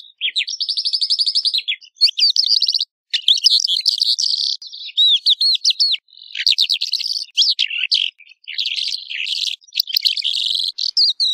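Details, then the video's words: A Calandra lark delivers a long, lively song: a quick trill run followed by a tumbling series of whistled loops, chirps and rasping notes, sustained with only brief breaks. "Calandra Lark Song! Calandra Lark Call! Singing! - Calandria Europea Canto!"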